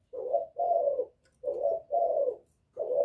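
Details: Spotted dove, Thổ voice, calling to provoke rival males: five full, low coos in paired rhythm, each rounded and slightly falling, with short silences between pairs.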